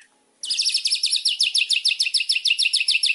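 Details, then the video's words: Indonesian white-rumped shama: after a brief silence, a sustained, very high, fast trill of buzzy pulses repeated at a steady rapid rhythm. "Pancingan burung murai batu 100% Dijamin ampuhh langsung gacor"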